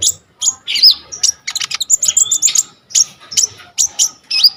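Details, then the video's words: Brown-throated sunbird singing vigorously with a full, varied repertoire, recorded on a phone as a tutor song for training other sunbirds: rapid high, thin chirps and short sharp notes in quick bursts, some rising and falling slurred whistles. "KONIN GEACOR FULL ISIAN 99% COCOK BUAT MASTERAN KOLIBRI NINJA TROTOL/IJOAN"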